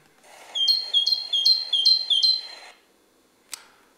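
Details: Great tit, a species very common in gardens, singing five quick two-note phrases, each a high bright note dropping to a lower one, repeated about twice a second; a faint click follows.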